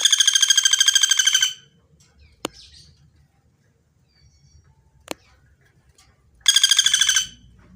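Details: Common flameback, pelatuk bawang, in a clear-voiced training recording: two loud, fast rattling trills of evenly spaced harsh notes, each about a second and a half long, separated by a quiet gap with two sharp clicks.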